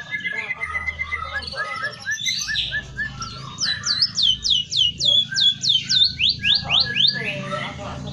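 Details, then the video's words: A White-headed Munia sings a lively, varied song with imitated canary and magpie-robin phrases. Chirps give way to a run of bright, sweeping whistles, about two or three each second. "burung emprit kaji gacor isian kenari dan murai batu"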